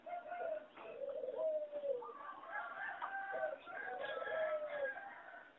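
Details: Farm-bred singing zebra doves, a line bred for competition singing from a wild mutation, rated poor singers with weak melody. Overlapping soft cooing notes slide downward and waver through a busy, faint recording, with several phrases layered together.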